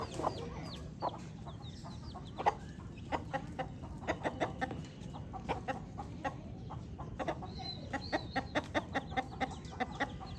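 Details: Baby chicks chirping: many short, high peeps, some slurring downward, scattered throughout, mixed with frequent sharp clicks and taps and a low steady background hum.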